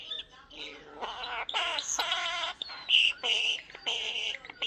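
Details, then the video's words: Captive talking common starling, a pet male bird, giving rasping, speech-like chatter in choppy phrases with a sharp high whistle near the middle, indoors. "Talkative bird @Tweeters the talking Starling"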